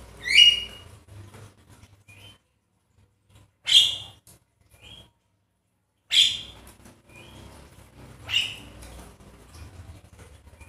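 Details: Javan myna lure sound meant to provoke a quiet myna into singing: four loud, harsh, raspy bursts about two to three seconds apart, each brief and noisy, with softer short squeaks between them and faint low background rumble.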